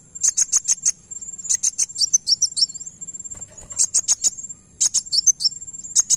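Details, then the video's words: High, sharp chips of Van Hasselt's sunbird in quick groups of four or five, followed by jumbled twittering and a rising slurred note; a shrill steady hum runs beneath; played to make another bird respond. "Kolibri wulung langsung nyaut dengar ini"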